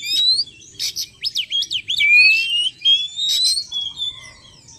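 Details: Lure recording of an Oriental magpie-robin meant to attract wild birds: quick sliding whistles and zigzag notes, a long rising whistle, and scratchy buzzy bursts in a continuous varied phrase.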